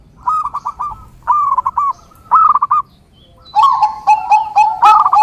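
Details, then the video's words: Zebra dove song: short rolling bursts of quick cooing notes at mid pitch separated by pauses, ending with overlapping notes and sharp clicking chirps. "SUARA Mp3 Burung Perkutut"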